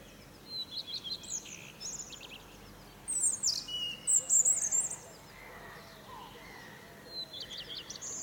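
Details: European robin giving morning trills from a fir; scattered high, thin whistles and sparkling warbled phrases, loudest in a bright burst midway, then softer notes, against a quiet hissy background.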